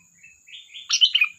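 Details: Sooty-headed bulbul: soft rising whistles that swell into a short loud liquid flourish.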